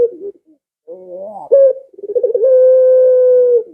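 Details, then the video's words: Barbary dove whose call is meant to draw pet doves into calling. Short quiet coos, a rising wavering phrase, a sharp accented note, then throbbing pulses flowing into a prolonged even coo. "Suara Burung Puter Ini Memikat Puter Anda Dirumah Sehingga Ikut Bunyi"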